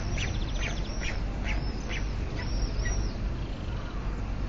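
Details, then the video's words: Webcam at a white stork nest in Alcalá de Henares: mother and chick clatter their bills in dry, rattling bursts, a few each second, over a steady low rumble of wind and traffic, with occasional thin, high calls of other birds. "Crotoreo madre e hijo - Cigüeña común"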